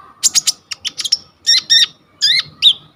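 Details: Coconut lorikeet recorded as tutor material for kolibri ninja birds: clipped high chirps in quick groups, followed by louder, harsher buzzy notes with a layered, ringing quality, each spaced apart.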